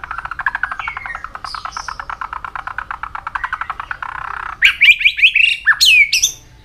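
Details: White-rumped shama training song with many voices, opening with a long rapid rattling trill, then sharp high whistled and buzzy notes in quick bursts toward the end.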